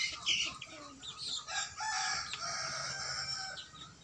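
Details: First crowing attempt by a 60-day-old male native chicken, one of three young cockerels on a backyard farm: a thin, scratchy, uneven crow that wavers for several seconds over a background of soft farmyard clucking.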